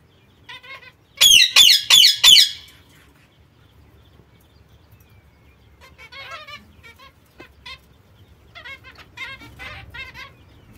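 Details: Young zebra finches with their mother. Four loud, harsh, nasal calls burst out in quick succession, then softer nasal calls follow in short irregular bursts against a quiet background.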